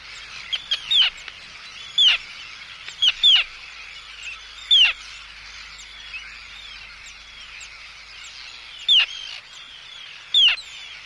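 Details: Arctic tern giving anxiety and threat calls at an intruder, recorded close up at a colony; loud piercing downslurred cries, sometimes doubled, come every one to two seconds over a soft hum of distant terns.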